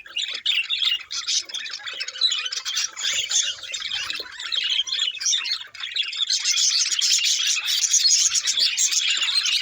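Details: Budgerigars chirping: a dense, continuous warble of high chirps and squawky notes, growing fuller and louder in the second half.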